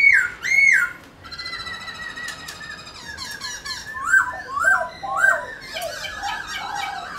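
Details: Singing Black-throated laughingthrush, a kept bird shown dancing: loud arched whistles open the phrase, then softer warbling, a run of three bright slurred whistles and a final varied chatter, with room noise behind.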